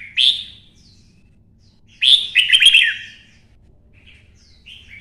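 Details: Red-whiskered bulbul from Vietnam singing a fighting song in the twisting-voice style after being provoked. A short bright note, then a loud, rolling phrase of quick twisting notes, then near-silence and a faint closing chirp.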